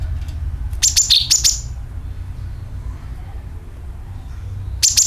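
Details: Sooty-headed bulbul lure sound for attracting birds: a quick run of three or four bright, slurred high chirps, then a pause with only low rumble, before another burst begins.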